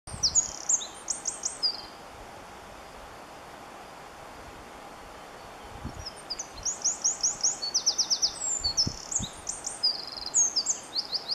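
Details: Singing male Eurasian wren (Troglodytes troglodytes) in the Oliwa Forests, Poland: two loud, very high bursts of rapid notes and rattling trills, separated by a few seconds of quiet, over a soft background hum.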